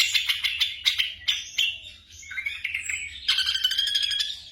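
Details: Night training recording of a black drongo for caged birds: chattering harsh notes, a few rising slurred whistles, then a dense burst of rapid pulsed notes. A low steady hum runs throughout.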